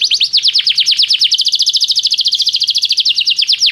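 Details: Canary training song: a fast, steady trill of repeated downward-sliding notes, roughly ten per second, running without pause through the whole stretch.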